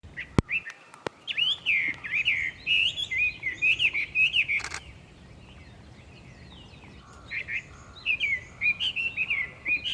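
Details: Hwamei recorded on 21 May 2022, giving loud, rich whistled phrases that rise and fall in quick varied runs, pausing near the middle before resuming with bright, slurred notes; a couple of sharp clicks near the start.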